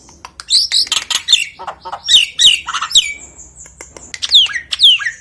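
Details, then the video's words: Common hill myna from Nias, calling actively to lure other mynas that rarely call: loud varied whistles, sharp falling notes and harsh squawks in rapid, irregular bursts, with a clear high whistled note near the end. "JALAK NIAS GACOR UNTUK MEMIKAT JALAK LAIN YANG JARANG BUNYI"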